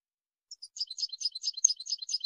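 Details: Goldfinch song for teaching young birds: a few soft opening chirps, then a busy stream of scratchy, high twitters that builds in loudness.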